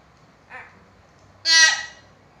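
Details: A chatty hill myna meant to coax lazy mynas into calling gives a short soft nasal note, then a loud, harsh, rasping squawk a second later.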